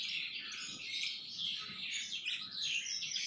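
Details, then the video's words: Caged Sanma bird, kept at home, singing vigorously: an unbroken torrent of bright whistled notes, quick trills and scratchy chatter shifting in pitch throughout, with faint low background noise. "Burung Sanma Gacor Rumahan"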